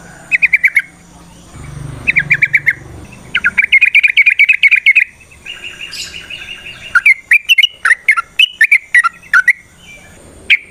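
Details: Sooty-headed bulbul (trucukan) singing as a lure to set other bulbuls singing; quick chattering runs of bright clipped notes, a longer rattling phrase mid-way, then varied jumping whistled notes.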